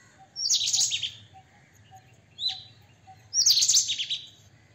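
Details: White-throated kingfisher, also known as white-breasted kingfisher: two loud, harsh, high rattling bursts about three seconds apart, with a short sharp descending note between them, over a quiet low hum.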